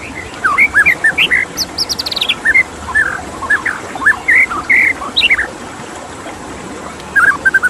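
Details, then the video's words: White-rumped shama giving scattered whistled phrases with a brief high descending trill, varied slurred notes and pauses, then a short closing burst, against a constant wash of water noise. "Suara KICAU MURAI BATU dengan Suara Air"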